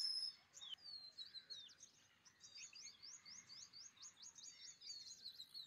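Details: Pied wheatear delivering a fast series of sharp, high, clipped notes. After a brief quieter start they come in a steady, rhythmic chatter, roughly several per second, over faint background hiss.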